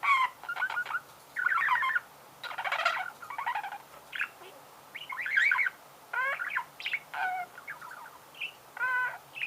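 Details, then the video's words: Warbling budgerigar: varied whistles, rising and falling squeaks, and dense chattering bursts follow one another quickly in a continuous, rambling song. "Пение волнистого попугая"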